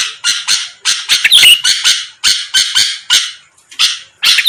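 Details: Lively Sooty-headed bulbul used as a lure to draw quick replies from rivals, giving coarse, rasping notes about three per second, spaced unevenly, with one brief bright whistle near the middle.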